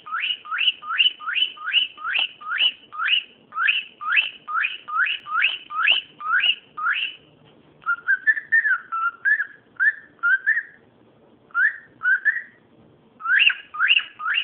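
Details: A cockatiel making noise: a rapid run of short upward-sweeping whistles, about two per second, breaking into lower warbled phrases with brief pauses, then resuming the quick rising notes.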